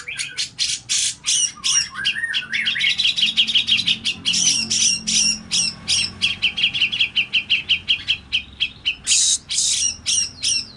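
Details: Grey-cheeked bulbul lure and training recording: quick series of sharp high chirps and squawks, with a rising run of whistled notes near the start, delivered in a steady fast rhythm.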